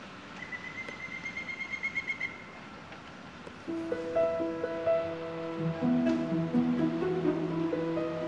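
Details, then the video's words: Pileated Woodpecker gives a quick, even run of about a dozen high, ringing notes over two seconds during a frigid winter hike (around -18 to -28°C) in Southern Ontario, Canada; soft instrumental music follows. "That was a Pileated Woodpecker call"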